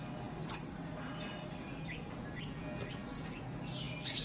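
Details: Adult white-eye, kapas tembak by its local name: a sparse, fainter run of short high chirps and thin downward-slurred notes, spaced irregularly about half a second apart over a quiet, hissy background.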